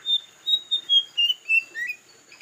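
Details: White-browed fantail singing clear, sweet whistled notes, about eight in quick succession, falling step by step in pitch and ending with a brief upslurred note, against a quiet background.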